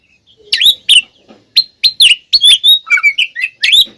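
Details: Oriental magpie-robin giving a loud, fighting-style song used to provoke other magpie-robins: sharp clipped notes and short whistled phrases, some dropping in pitch, in quick bursts separated by brief pauses, against a clean quiet background.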